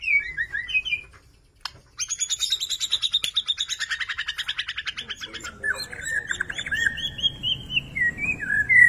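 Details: Borneo white-rumped shama of the gembung type singing: brief whistled phrases, a sharp click, then a long rapid pulsing trill of high notes, followed by wavering, slurred whistles and ending on a loud high note.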